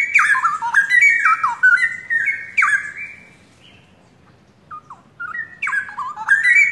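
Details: Captive young forest-origin straw-headed bulbul pair in active song: rapid stepped, warbled whistles for three seconds, a near-silent pause, then quieter sliding notes building back into full rich phrases.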